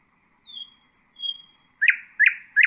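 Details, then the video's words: Nightingale song used to train chicks: two long pure whistles, each starting with a high flick, then three loud, harsh repeated notes. "أفضل تغريد للعندليب الحسينة لتعليم الفراخ"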